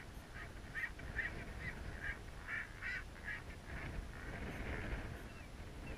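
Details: During a courtship dance display on Gough Island, Tristan albatrosses in a group of three give a steady series of short, nasal, honking pulses, about two per second, against heavy wind rumble.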